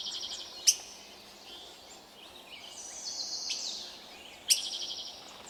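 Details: Birds chirping in a Canadian forest: high, fast trilled chirps open and close the stretch, with sharp ticks and softer mid-high warbles between them over a steady hiss of forest ambience.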